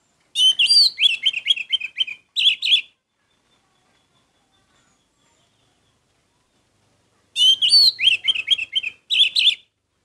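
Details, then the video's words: Orange-headed thrush, a singing red thrush, giving two rich bursts of fast, varied, chattering whistled phrases, each about two seconds long, with a quiet pause between them. "Anis merah gacor"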